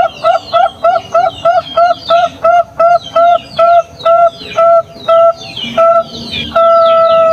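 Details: Champion Bangkok-type zebra dove singing to prompt other doves to answer: a run of about fifteen short, evenly spaced pure cooing notes, ending in one long held note, with faint chirping behind.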